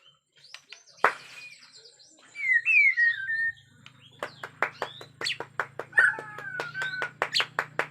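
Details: White-rumped shama from Borneo in an agitated mood, with a natural forest sound: a sharp snap, sweet falling whistles, then a series of dry clicking notes mixed with short whistled slurs over a faint low hum.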